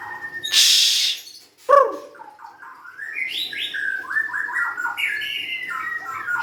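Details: White-rumped shama, a young bird of forest origin, opens with a harsh noisy burst and a sharp click, then runs into rapid slurred whistles climbing and falling in quick stepped phrases.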